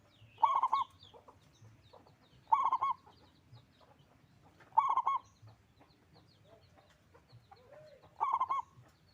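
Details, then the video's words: Local zebra dove with a powerful voice singing four evenly spaced phrases of rapid bubbling coos, about two seconds apart, over quiet background chirping from other small birds. "Perkutut lokal gacor suara besar"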